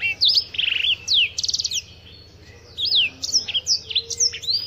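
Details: Black-throated canary of African origin singing loud, varied high phrases: sharp falling whistles, a fast buzzy trill of repeated notes, then rising and falling slurred notes after a short pause.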